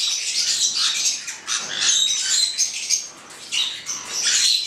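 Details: Two black-headed parrots squawking: rough, high screeches in uneven bursts, loud throughout with a couple of brief softer gaps.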